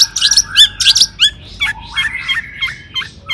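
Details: Long-tailed shrike singing energetically as a lure to provoke rivals: a burst of harsh high chattering notes, then a series of lower whistled notes with hooked downward and upward turns.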